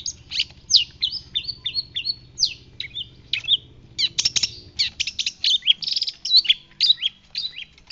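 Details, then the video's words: White-breasted 'pentet laut' shrike singing vigorously as a training recording. A series of short, down-slurred whistled notes repeats rapidly, then gives way to harsher clicks and mixed chirps, with a low hum underneath. "Pentet laut dada putih gacor"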